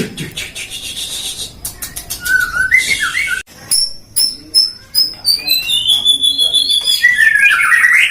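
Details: Shama at a songbird breeding farm in Depok, Indonesia, captive-bred: rough noisy passages and a few slurred whistles, then a run of sharp clicking pulses, followed by a long sweeping whistled phrase.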